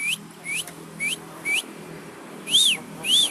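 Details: Asian pied starling, nodding as it sings, gives four sharp upslurred whistles about half a second apart, followed by two louder arched whistles.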